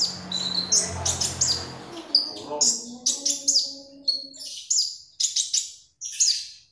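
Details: Lively magpie robin song used to train other birds: rapid series of bright, high, buzzy chirps, some sliding downward, with a lower murmuring tone early on that fades out.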